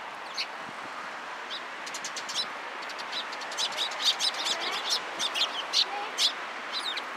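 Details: A busy group of sparrows arriving at a cherry tree at a Tenmangu shrine on 24 March 2023. Rapid overlapping chirps build up to more than two per second, with steady background rumble.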